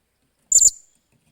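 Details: Decoy-in-training blue-crowned hanging parrot, 28 July 2021: one thin, piercing high-pitched squeak, doubled at the start and trailing off quickly into quiet.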